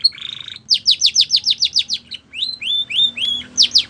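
A Belgian canary sings a rapid, varied song: a buzzy trill, then a quick run of about ten descending high notes, then sweet rising whistles.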